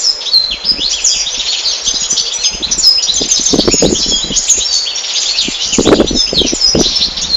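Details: Continuous, loud European goldfinch twittering, overlapping high chattering and tinkling notes running without pause, mixed with repeated soft thumps and rustling sounds.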